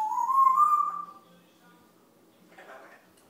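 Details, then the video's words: A grey parrot waiting for its lunch babbles, giving a clear, rising whistled phrase lasting about a second, then a short, rough, voice-like burst after a pause. "le GRIS dit n'importe quoi"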